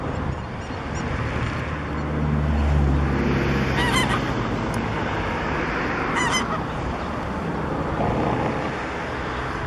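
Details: Domestic goose at Oroklini lake, Cyprus, giving two loud, nasal honks about two seconds apart, over a steady low rumble of wind and background noise.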